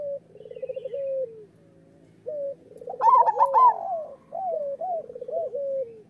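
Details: Local zebra dove master song for training reluctant birds: overlapping doves give quick beaded coo rolls with long downward glides, broken by short pauses and a louder burst midway.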